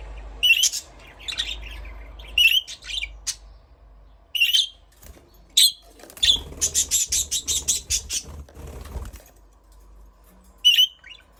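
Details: Budgerigar giving short, sharp chirps in scattered bursts, then a quick run of about nine rapid pulses with a low rumble beneath, before one last chirp.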